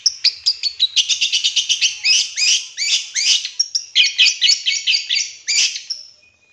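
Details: Long-tailed shrike, called cendet, on a lure recording for training with 'tembakan' filling: a fast, continuous stream of chattering high notes, varied in pitch, lasting about six seconds before fading.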